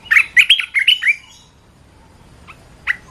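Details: Red-whiskered bulbul singing a quick phrase of bright, warbled whistled notes around the middle register, five or six linked notes in a burst, followed by a pause and two short isolated chirps.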